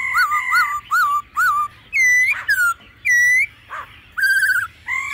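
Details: Laughingthrush in a mature wild-style voice, with female calls mixed in to stir birds: bouncy two-part whistles, rising and falling slurs, upturned whistled notes, and a buzzy wavering phrase, each separated by short pauses.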